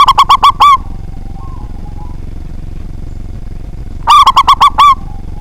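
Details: Local zebra dove, prized as a frequent, loud singer for provoking rivals: two phrases of quick, stuttering coo notes, each finishing with a longer note, about three and a half seconds apart over faint background rumble.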